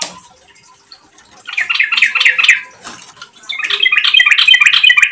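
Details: Yellow-vented bulbul used as a lure to prompt other bulbuls to sing: two lively phrases of liquid, bubbling notes, the second longer and louder, separated by a short pause.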